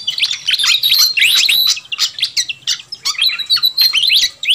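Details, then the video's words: Fantail flycatcher lure recording used to attract wild birds: fast, jumbled run of sharp upslurred chirps, roughly three a second, mixed with short flat whistled notes. "Suara Pikat Burung Sikatan Kipas RIBUT"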